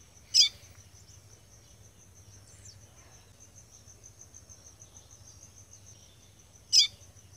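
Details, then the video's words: Female caboclinho seedeater calling in the caatinga of Rio Grande do Norte, Brazil, to stir up singing: two brief, bright, high chirps about six seconds apart, with faint ticking and a thin steady high tone between. "Fêmea de caboclinho chamando pra esquentar melhor piado"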